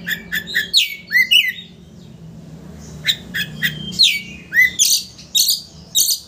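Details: Lively Oriental magpie-robin song meant to rouse a rival's emotions so it spreads its tail: rapid harsh chattering notes mixed with downslurred whistles in quick bursts, a short pause, then dense scratchy phrases again.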